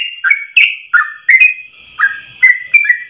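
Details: Yellow-vented bulbul tutor recording in ropel style, a long phrase in one breath: warbled whistles that slur downward and jump back up, delivered in uneven bursts with clicks and faint steady hiss.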